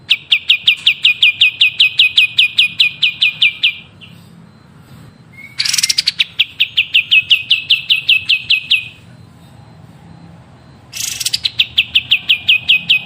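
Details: Long trains of fast, sharp chirps at a steady high pitch from a prolific songbird, used for song training, broken by two harsh buzzy bursts and quiet pauses.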